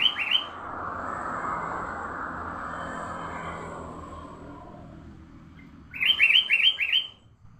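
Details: Sooty-headed bulbul lure song for training juvenile bulbuls: a brief bubbly phrase, a long stretch of broad hissing noise, then a lively burst of five or six rapid warbled notes.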